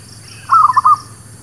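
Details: Zebra dove song used as a lure for trapping birds and for new birds: one short phrase of about four soft, rapid cooing notes run together, with a steady low hum beneath.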